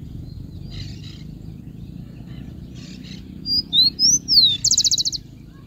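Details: Rufous-collared sparrow singing: after a quiet stretch with faint distant chirps, a few clear slurred whistles, some rising and some falling, lead into a fast, even, buzzy trill at the end.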